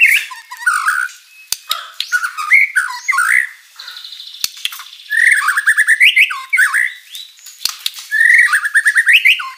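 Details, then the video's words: White-rumped shama in full vigorous lure song, packed with rich varied material: rapid chattering phrases, rising whistled notes, buzzy trills and sharp clicks tumbling together without pause. "MURAI BATU GACOR full isian materi mewah"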